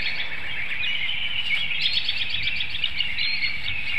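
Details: Bald eagle pair at a webcam nest in Hanover, Pennsylvania, 25 March 2019 near 7 AM; one bird calls to force a nest exchange during incubation. A high, rapid run of piping notes sounds midway, with songbirds chirping throughout.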